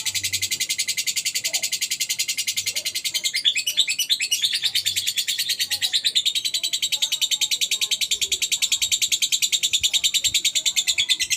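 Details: Continuous ngekek chatter from a gacor lovebird: a long unbroken stream of very rapid high buzzy pulses, about three a second, with faint scattered background noises beneath.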